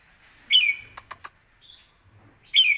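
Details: Caged red-whiskered bulbul with a song for training young birds: a short, loud, sliding whistled phrase, three dry clicks, a faint high note, then a second loud phrase at the end.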